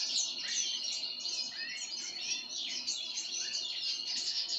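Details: Pine grosbeak being given sunflower seeds, with a continuous mass of high twittering and short downward-slurred notes.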